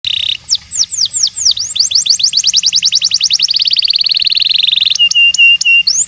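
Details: New Zealand Singer canary singing: a short buzzy opening note, then a series of looping downward-sweeping whistles that speed up into a fast, even trill, ending with a few clear, sustained whistled notes.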